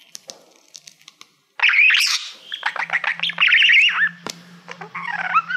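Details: Pet male budgie warbling to a reflective plaque, as he loves mirrors. Faint clicks lead into a loud run of chirpy, rising and falling twitters and rasps, with a low steady hum underneath.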